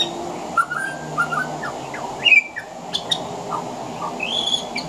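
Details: Pied butcherbird on a veranda, song laced with imitations of other Australian birds: brief clear whistled notes repeated, a sharp louder squeak mid-clip, then short upslurred and downslurred whistles over a constant hiss.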